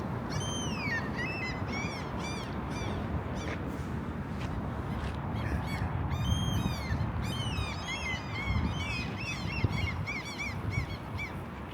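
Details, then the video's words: Several gulls in the Vallila district of Helsinki, Finland, on a still-cold day call with harsh, downward-slurring cries in quick bursts over low city traffic rumble; the gulls seem to have returned, or perhaps overwintered in the city. "As you can hear, the seagulls have already returned."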